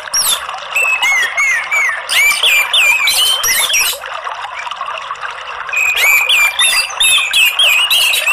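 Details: Indonesian lure recording of Orange-headed thrush 'ngeriwik' twittering, used to encourage a bird that seldom sings. Bursts of chattering and slurred whistles come in two busy spells separated by a quieter gap near the middle.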